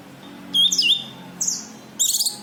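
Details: Brief high calls from a cucak kinoi white-eye, a lure for other birds: a twisting whistle, a single downslurred chirp, then a fast high trill.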